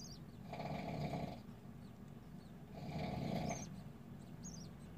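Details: Raspy, wheezing bursts from budgerigar babies just out of the egg, two long hoarse pulses about two seconds apart, with faint high chirps in the pauses.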